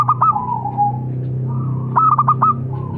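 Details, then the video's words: Local zebra dove (perkutut lokal) singing: clusters of quick staccato cooing notes, each dropping into a drawn-out mellow coo. Two phrases are heard over a steady low hum. "Suara Burung - Perkutut Lokal"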